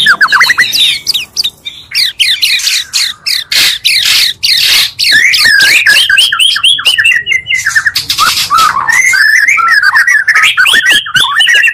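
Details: Two Oriental magpie-robin voices combined into a lure meant to quickly stir other magpie-robins' emotions: rapid, varied song of sweeping whistled notes and harsh chattering bursts, dense and nearly continuous with brief pauses.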